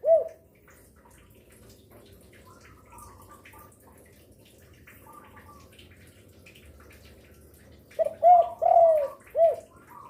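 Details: Spotted dove, described as a vigorous singer calling in the daytime, afternoon and night, used as a lure for other doves; one low coo, a long quiet stretch, then a loud burst of hollow cooing notes near the end.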